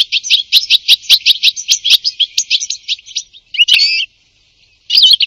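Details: European Goldfinch singing a rapid series of bright, tinkling twittered notes, about four per second, followed after short gaps by two liquid, rolling chirp bursts.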